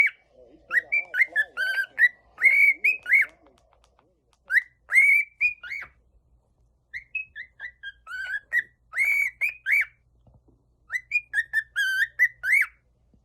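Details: Cockatiel (Nymphicus hollandicus), whistled calls.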